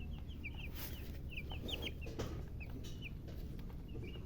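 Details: Baby chicken chicks chirping: faint, high, falling peeps scattered irregularly against a loud low rumbling background.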